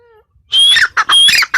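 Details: Female grey francolin: a soft steady tone, then loud rasping, squawking bursts with a high whistled overtone in quick succession.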